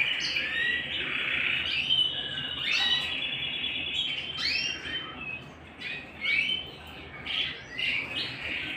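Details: Canary heard at home with scattered short chirps and swooping whistled notes over a steady high hum of song, becoming more broken toward the end.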